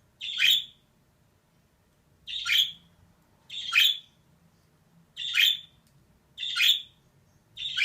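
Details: Pet female budgerigar giving rasping, scratchy single calls at fairly steady intervals of about a second and a half, six calls in a row, no other sounds.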